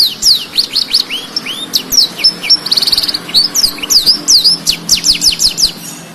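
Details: Blackthroat canary in steady full song, used as master song for tutoring other canaries: a fast, unbroken run of high slurred whistles, rising and falling chirps and a short buzzy trill in the middle.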